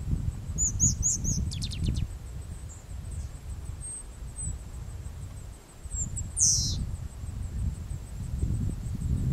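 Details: Striated grasswren (whitei subspecies) in Wittenoon Gorge, Pilbara area of Western Australia, on 9 June 2012, gives very high, thin squeaks and a rapid ticking trill, then a lone sharp high note later, with low wind rumble throughout.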